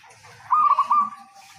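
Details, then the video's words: Local zebra dove in strong song, used to lure other zebra doves into singing: a short run of clear, even cooing notes at one steady pitch, about four quick pulses. "Bunyi Perkutut lokal Gacor Ampuh Untuk Pancingan"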